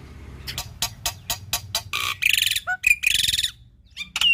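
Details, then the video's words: Black-winged starling singing in a chatty, full-repertoire style meant as a training model for young or reluctant starlings: rapid dry clicking notes, then loud harsh rasping bursts mixed with short whistled slurs and a low quiet hum. "Jalak Putih Gacor Full Isian"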